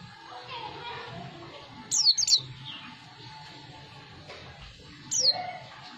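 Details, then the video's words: Newly caught white-eye giving its ngriwik call: two brief bursts of thin, high, downslurred chirps, three seconds apart, over a low murmur of background noise. "pleci ngriwik"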